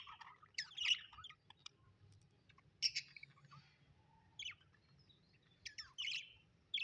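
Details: Budgerigars kept as pets, described as happy, give short scratchy chirps and squeaks in separate spaced bursts over a low steady hum.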